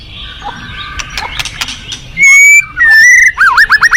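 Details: White-rumped shama in a forest: after soft background chatter come two long, pure, level whistles, then a rapid rolling trill of repeated up-and-down notes.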